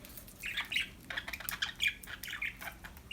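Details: Happy budgies chirp and squawk in a busy, continuous stream of short, high, scratchy notes, several per second, over light background noise.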